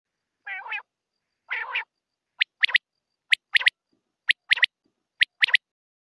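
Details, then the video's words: Female common quail calling: two low, raspy, harmonic notes, then sharp high clipped notes in quick groups of two or three, repeated roughly once a second against a quiet background. "madi batair ki awaz"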